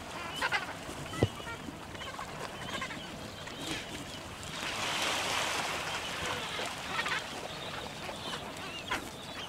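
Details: Two downy Gentoo penguin chicks at Orne Harbor chase an adult arriving ashore to be fed, giving a busy chorus of harsh, bleating begging calls that rises into a dense burst midway, over steady wind and surf.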